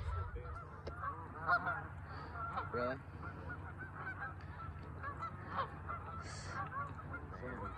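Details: A huge flock of about two thousand geese, gathered in many bands; overlapping nasal honks and clamour from numerous birds, with low rumbling background noise and a person speaking briefly.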